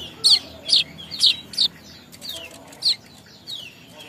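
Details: Young weaver from Bima, West Nusa Tenggara, learning to sing: a run of sharp high chirps, each a short descending note, given about twice a second, then fainter scattered notes.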